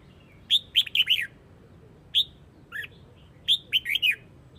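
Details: Red-whiskered bulbul from Hue, Vietnam, calling the flock: loud, clear whistled phrases of four or five quick notes sliding down, given in bursts about every one and a half seconds, with a softer note between.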